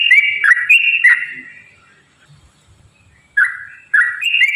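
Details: Yellow-vented bulbul in vigorous song, used to stir other bulbuls to sing: bright whistled notes dropping then rising, delivered in short bursts with a quiet gap of over a second before the phrases resume.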